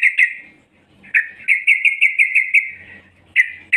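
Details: Female yellow-vented bulbul luring males with clipped chirps, a pause, then a fast evenly pitched run of about ten notes, followed by two more sharp notes.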